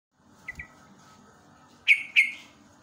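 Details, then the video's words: Yellow-vented bulbul recorded live in the morning, natural sound used to stimulate young caged birds to sing: two faint short chirps, then two loud sharp downward-sliding chirps close together over a steady low hum. "JOGJOG/TRUCUK ROPELAN SAKTI"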